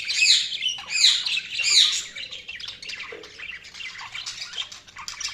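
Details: Budgies chirping: three loud squawky chirps about a second apart, then a softer steady run of chattering twitters.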